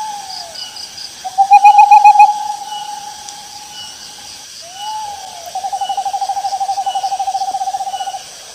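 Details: An owl in rice fields gives two long, quavering trills at a steady mid pitch, each about three seconds long, over a constant high buzz of insects.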